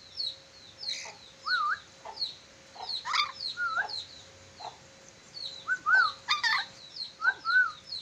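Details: Ornate lorikeet from Sulawesi, said to be a clever whistler with many whistles: short looping whistled phrases, some rising then falling, repeated at irregular gaps, over a steady background of high chirps from other birds.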